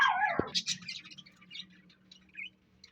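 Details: A parrot gives one loud chirp that slides downward, followed by softer, scattered high twitters and quiet background hum.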